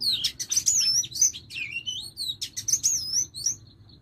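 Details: Female Oriental magpie-robin serving as a lure, uttering sweet, high whistled slurs interleaved with crisp chirps in two quick bursts that fade toward the end.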